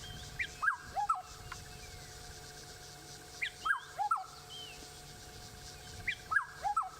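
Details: Black-headed Oriole (Oriolus larvatus) at sunrise in Sabi Sand, South Africa, 28 October 2016, giving short liquid whistled phrases of three or four notes, repeated about every three seconds, over a steady background hum.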